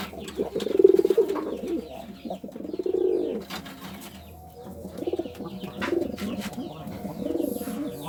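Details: Pigeon wooing with low, purring coos. Strong bubbling phrases rise and fall every second or two, separated by quieter murmuring stretches, and faint twittering is heard far behind.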